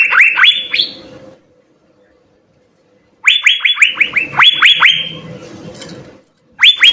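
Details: Asian fairy-bluebird in gacor song with full isian: short bursts of quick, rising whistled notes separated by silent gaps, the middle phrase a long run of upslurs over a low murmur.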